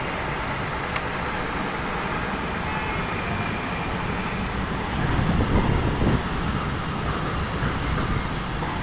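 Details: Steady broadband rumble like a passing vehicle or strong wind, swelling slightly around the middle, without any animal sound.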